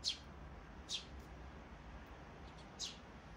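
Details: Sparrow chicks recorded 23 May 2024: three brief, high, scratchy cheeps at irregular intervals, the last fainter, against a quiet hiss of background noise.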